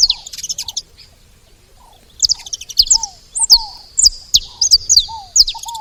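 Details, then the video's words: Saffron finch at a feeding spot: a burst of chirps, a short pause, then resumed high, sharp slurred chirps with lower arched whistles interspersed at regular spacing. "Canário da terra fazendo barulho na seva"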